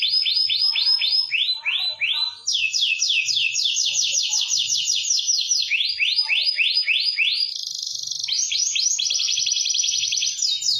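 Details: Energetic 'gacor' canary song for training lazy singers: varied tours of rising swept syllables, changing speed and pitch every second or two, with short rattles between.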